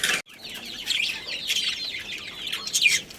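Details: Budgerigar breeding pair chattering: a sharp click, then continuous warbled, wavering high notes with small squeaky peaks throughout.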